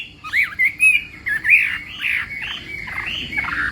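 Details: Chinese hwamei in morning voice training, giving a few loud slurred whistles that swoop up and down, followed by softer, rounded warbling phrases that fade slightly toward the end.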